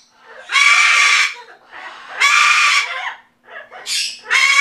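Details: Sulphur-crested cockatoo talking, saying "Back off", November 2015: two long screechy phrases, then two shorter rough bursts, all loud, harsh and grating.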